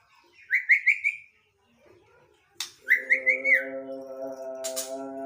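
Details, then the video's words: Long-tailed white-rumped shama giving two bursts of quick rising whistled notes, four in each, separated by a pause and a sharp click, followed by a steady sustained tonal drone. "murai minta ngopi..."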